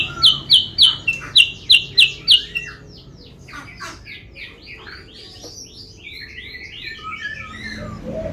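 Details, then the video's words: Sooty-headed bulbul lure call to bring rivals near: eight loud, evenly spaced high whistled notes, followed by a softer jumble of twittering, slurred chirps. "suara pikat burung kutilang sutra bikin lawan auto mendekat"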